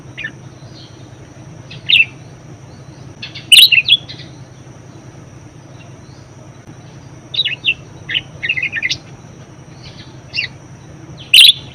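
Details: Budgerigar in lively voice, recorded as a master and lure song for teaching other birds; scattered sharp, high chirps and brief twittering groups separated by quiet gaps, with faint background hum.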